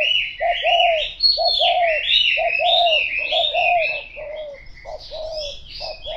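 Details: Repeated mellow cooing of a spotted dove, paired notes falling slightly at the end and coming in quick succession, set against a dense chatter of high chirping small birds.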